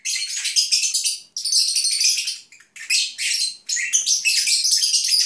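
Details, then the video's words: Napping Agapornis lovebirds kept at home give rapid, grating high twitters in three or four long bursts with short silent gaps between them, in a small indoor space. "Cennet Papağanı ( Agapornis Lovebirds ) Nap Song"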